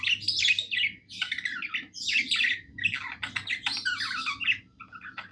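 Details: Happy pet budgie singing in a room: rapid chattering bursts of buzzy, scratchy chirps and squawky notes in short phrases, with a steady low hum underneath.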